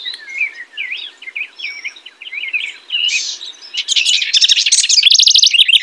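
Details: House wren song beginning with soft, warbled, wavering notes, then swelling into a loud, rapid, buzzy trill over the last two seconds.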